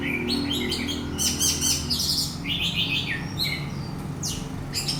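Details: Orange-headed thrush in song, played to set another bird singing: bright high chirps and slurred whistled phrases in short bursts, over low background hum.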